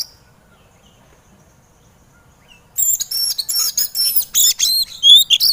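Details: Oriental magpie-robin (kacer) in an 'emosi' training recording for birds reluctant to sing: near silence for almost three seconds, then a sudden dense run of high, sharp chirps and whistled slurs repeated in quick succession.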